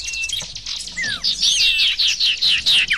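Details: Sirtu bird lure audio: a single falling whistle followed by a regular series of loud, sharp descending chirps about every quarter second.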